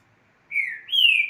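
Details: Green-winged saltator in an office setting giving two clear whistled phrases, the first slightly falling, the second higher and sustained, after a brief silence.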